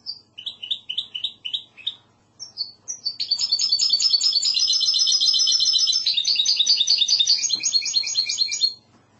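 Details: Goldfinch hybrid (mixto) singing classic Andalusian-style song: opening run of repeated paired high chirps, then a long loud sustained trill of rapid buzzy high notes lasting several seconds, ending in fast repeated phrases.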